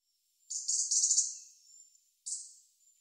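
A European robin sings a thin, high, fast warbling phrase of about a second, then a second brief burst, over a faint steady high hiss.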